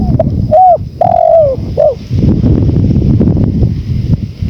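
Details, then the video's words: One spotted dove phrase of short coos and a long, gently falling coo, after which steady wind noise takes over the rest of the recording. "MASTERAN TEKUKUR 2024||PADUAN suara ANGIN ALLAM"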